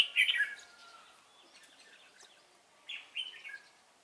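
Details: Red-whiskered bulbul of the Cánh ruồi type with a fine voice, singing at a trapping site on 3 March 2017; one bright chattering phrase opens, then near-quiet, then a second, softer warbled phrase.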